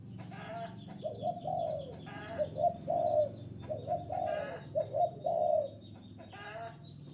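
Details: Spotted dove cooing as a lure for wild doves: mellow, throaty coo phrases grouped in short bursts about every second, over a low background hum with bright rustling chirps between phrases.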